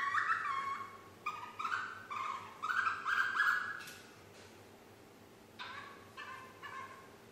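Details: Nine-month-old female pet parrot trying to whistle Yankee Doodle: a series of short, fairly soft whistled notes in steady succession, a pause, then three fainter notes, with quiet room hum underneath.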